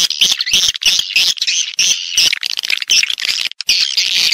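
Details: Lure playback of swiftlets, meant to attract the birds to nest in farm houses: dense, shrill twittering chatter with brief breaks, strongly high-pitched throughout.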